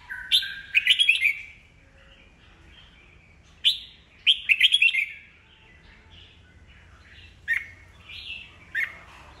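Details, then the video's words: Caged red-whiskered bulbul, an old bird taken from the wild, singing to trigger rival birds into competitive song; loud rippling whistled phrases in bursts, with softer warbled notes filling the gaps. "Chào mào già rừng bọng cực hay, siêu kích bổi, bổi nghe là hót đấu"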